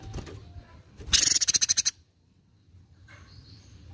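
A black-crested bulbul gives a quick, high, chattering burst of about ten sharp notes in under a second, then falls quiet against faint background hiss.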